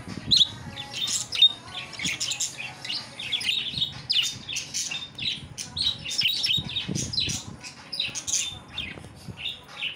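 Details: Pet parrot indoors during its evening play routine, giving a steady stream of high chirps, short squawks and whistled notes, busy and irregular throughout.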